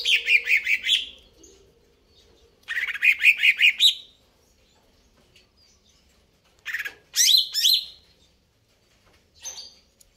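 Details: Greater green leafbird in full song: two fast, slightly descending chattering trills, then a gap, then sharp whistled notes sweeping upward and a brief final chirp.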